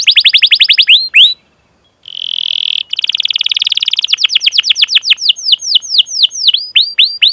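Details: Long-duration canary song played to coax young canaries into singing: rapid falling chirps, a short pause, then a dense buzzy trill followed by a fast rolling series of sweeping high notes.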